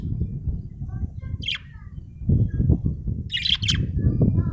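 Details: Budgerigar giving brief scratchy chirps in two quick bursts, separated by soft twittering, over a loud low rumbling background noise.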